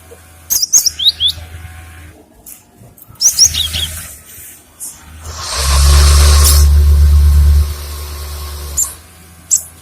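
Short bursts of high, thin, sharply falling chirps come in a few quick groups. A man speaks briefly, and a loud low rumble intrudes midway.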